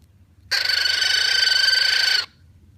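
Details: A pet cockatiel makes happy sounds: one loud, harsh, buzzy call held steady for nearly two seconds, rich in bright overtones, then stopping abruptly. Faint low room hum underneath.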